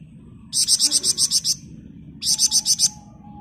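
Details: Flamboyan bird singing steadily in dense ngebren style, a master recording for training other birds: two bursts of about eight rapid, evenly pulsed high buzzy notes, separated by a pause with a faint steady tone.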